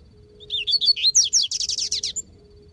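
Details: Double-collared seedeater in the bush, singing with a free bird nearby: varied slurred, twisting whistles, then a fast run of about eight evenly spaced, buzzy repeated notes before the phrase stops, with a faint steady hum behind.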